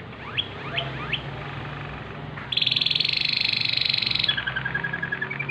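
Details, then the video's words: Singing at night, a Waterslager canary gives three quick rising sweeps, then a loud, dense, buzzing trill lasting almost two seconds, followed by a slower pulsed, bubbling roll. "Canary Waterslager Singing in Night"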